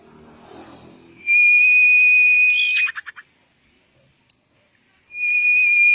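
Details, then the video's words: Common iora lure recording to make birds sing quickly: a long, steady, high whistle held over a second, then a few quick clipped notes, and after a pause the drawn-out whistle again. "bird sound bait to make it sing quickly"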